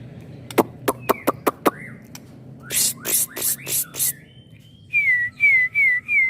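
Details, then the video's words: Young white-rumped shama, a candidate for the iron-pole competition class: a run of sharp dry clicks, then loud noisy bursts, ending with four clear whistled notes that slide downward, each about half a second apart. "MB MUDA CALON MERAMAIKAN TIANG BESI DI KELAS NY COCOK BUAT PELAPIS"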